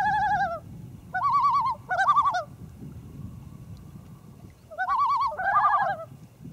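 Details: Loons calling on Great East Lake, Wakefield, New Hampshire, in the early morning of 1 August 2012, recorded from a canoe with a Panasonic HDC-TM90. Short quavering bursts in two clusters with a quiet gap between, over faint low background rumble.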